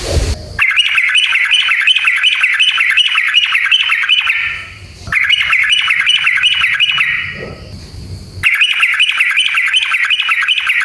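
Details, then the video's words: Sooty-headed bulbul singing in long, full 'ngalas ropel' style, used as a lure to provoke other bulbuls into singing. It is a dense, rapid run of chattering notes, broken by a short break and a brief hiss near the end. "SUARA trucukan gacor JITU NGALAS ROPEL PANJANG buat PANCINGAN agar burung trucuk gacor EMOSI"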